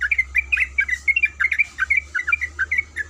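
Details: Sooty-headed bulbul, a female calling the male, delivers crisp fluty chirps in quick uneven clusters, some notes curving downward, backed by a quiet continuous low drone.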